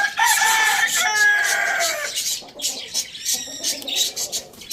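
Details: Farm-village rooster among roosters eating tomatoes, giving a loud, harmonic crow lasting about two seconds that falls in pitch at the end, followed by softer clucking and high chirping.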